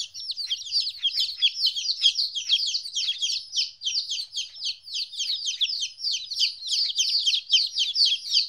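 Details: Fourteen-day-old chicks separated from the hen for the first time: a steady flock chorus of high, quickly repeated falling peeps, tightly packed and overlapping.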